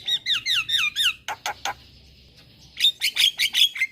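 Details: Black-winged myna singing, used as a lure to make young birds sing: a run of five wavering two-part whistles, a few harsh notes over a faint steady tone, then a quick burst of squawky chatter.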